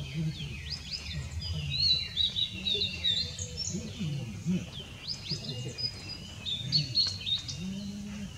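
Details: Blue-and-white flycatcher (Cyanoptila cyanomelana) recorded 6 May 2016, giving repeated phrases of high whistles and quick slurred notes. The phrases are spaced a second or two apart, with soft low tones in the background.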